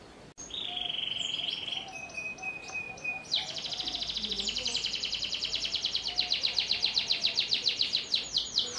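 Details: Belgian canary in full song: a sustained high whistled note, a lower flat tone, then a long, fast, accelerating trill of repeated high notes, with faint low sounds in the background.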